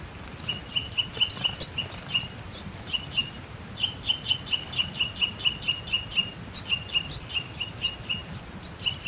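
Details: Eurasian nuthatch singing: fast series of clear, evenly repeated whistled notes, about five per second, delivered in several runs across the recording with brief gaps between them.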